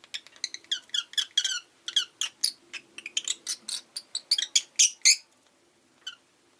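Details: A rosy-faced lovebird chatters in a rapid, steady stream of shrill, high chirps, about four per second for five seconds, then a single last chirp after a pause.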